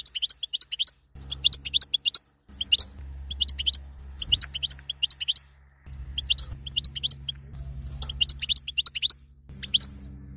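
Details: Female European goldfinch calling to excite the male to mate: high, sharp chirps in quick clusters of three to six, separated by short pauses, over a steady low hum that cuts in and out.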